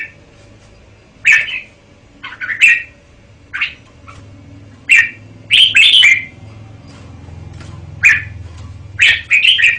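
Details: Red-whiskered bulbul delivering bright, ringing warbled phrases at irregular intervals, including a dense flourish after six seconds and a quick run at the end.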